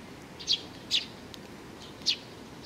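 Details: Three separate high, short chirps from a juvenile sparrow, June 2019, evenly spaced with long quiet gaps between them and a low murmuring background.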